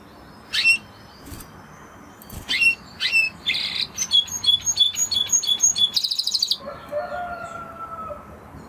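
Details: Spanish Timbrado canary, original breed, gives scattered sharp chips, then a rapid series of clear repeated notes building into a dense high trill, followed by soft lower whistles.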